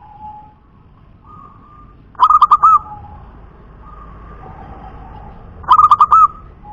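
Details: Zebra dove of local wild stock, known as a punden dove, giving two loud phrases of rapid, stuttering, mellow coos ending in a held note, with faint lower cooing in the quiet gaps.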